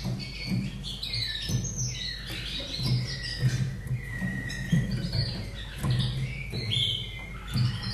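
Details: Caged Slavujar canary in Austria, from 2011, sings a continuous run of warbled whistles and long level tones, fairly soft, over a persistent low hum.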